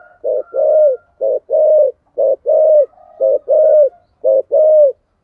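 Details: Decoy spotted dove calling in the 'giọng thổ' style with 'thúc' and cooing notes: five regular two-part coos, a short low note followed by a longer, louder, slightly downslurred coo, about one pair per second.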